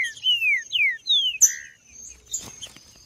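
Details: Green-winged saltator macheando, sung to stimulate males: three or four long, clear whistles sliding downward, followed by a click and quieter chirps, a faint steady high tone underneath.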